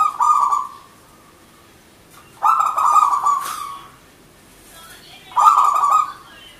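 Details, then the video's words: Singing local wild-type perkutut (zebra dove): three purring, rapidly pulsed coo phrases spaced about two and a half seconds apart, each starting with a loud rattling burst and fading into a smoother drawn-out note. "Perkutut Manggung Gacor Gayer 100% lokal alam"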